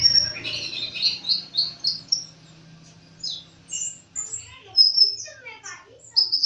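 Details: Sunbird known as kolibri ninja giving a high, chattering twitter, then a short pause, then rapid thin chirps and descending slurred notes, with a soft low hum beneath.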